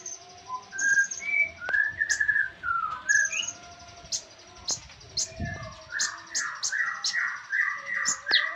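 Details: Javan tesia song from a master recording for training songbirds: a varied run of short whistled notes near the middle pitch, interleaved with sharp high ticks, then a rapid series of downslurred notes toward the end.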